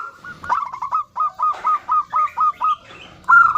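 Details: A female local zebra dove calls to the male with a chain of short, rounded coos. The notes are clipped and repeated about every quarter second, with a brighter trilled burst at the end.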